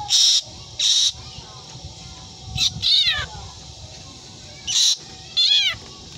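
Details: Black drongo imitating a cat's meow: harsh, buzzy bursts and a few drawn-out, bending meow-like cries, spaced irregularly, over a constant background hum.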